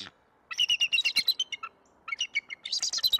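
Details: Decorah, Iowa bald eagle pair warding off an intruder, 21 November 2022: a quick string of high, ringing, gull-like piping notes, silence, then a second excited series.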